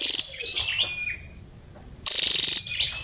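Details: Female scarlet-backed flowerpecker: high, thin chirps and short sweeping twitters near the top of the range, a pause of near silence, then another burst of sharp, buzzy notes.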